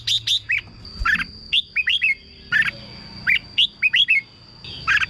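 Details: Caged red-whiskered bulbul singing, the recording meant for decoy use or to make caged birds lively: clusters of two to four warbled notes separated by short pauses, a thin steady whine and soft low background noise.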